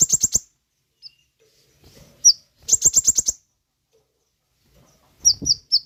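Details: Sooty-headed bulbul song for luring and training caged birds: short clusters of rapid high-pitched notes alternating with single upslurred whistles and brief silences.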